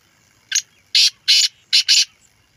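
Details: Black francolin, female voice: five harsh, grating broadband notes in quick succession over about one and a half seconds. The second to fifth notes are loud and buzzy, with short gaps between them, over a quiet background.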